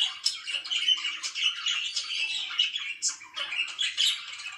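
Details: Lively morning chirping by pet budgerigars, rapid scratchy chirps and high squeaks tumbling together in a nonstop warble.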